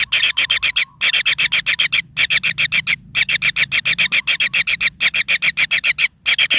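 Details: Kingfisher young in their nest, pin feathers just sprouting, utter a fast regular chatter of buzzy rasping notes, nearly four per second, pausing now and then.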